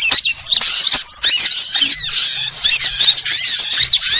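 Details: Sunbird, the Indonesian burung ribut, delivering shrill high chirps and curving squeaky notes in quick bursts, separated by short pauses, with a faint low hum underneath.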